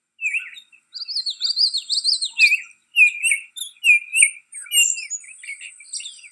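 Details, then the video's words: Baltimore oriole calling at Riverwood: clear whistled notes that slur up and down, given in short phrases separated by brief pauses. Higher thin chirps from other birds run over them throughout. "Baltimore Oriole Call"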